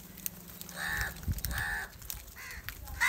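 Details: Harsh, hoarse caws from crows gathered angrily over rice food, four calls in about three seconds, each short and grating, with low background rumble.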